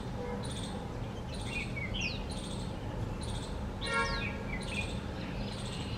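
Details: A bulbul, recorded on 17 November, gives short, bright chirps and quick down-slurred notes, repeated roughly every second, over a steady low rumble of background noise.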